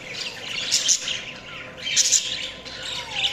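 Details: Budgerigars chirping in two or three short bursts of high, grainy chatter, with a few thin, rising whistled notes between them over a low, constant hum.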